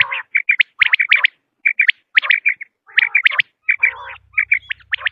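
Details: Lure recording of common quail, male and female sounds for hunting: rapid high chirps and paired clipped whistles with rougher buzzy notes between, a low hum entering near the end.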